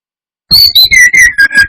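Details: Brown-chested jungle flycatcher song used as a lure to provoke rival birds: a rapid string of loud, clear whistled notes sliding down from high to mid pitch after half a second of silence.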